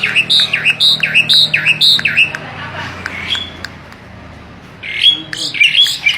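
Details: Starling song: a clear, bright two-part note repeated about eight times in quick succession over two seconds. A quieter pause with faint chatter follows, then a burst of sharp, high squeaky notes.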